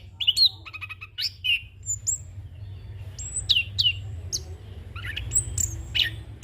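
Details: Orange-headed thrush, a young bird, in its rolling, filled-in song for training and luring: spaced clear whistled notes and sharp downslurs repeated every second or so over a low hum.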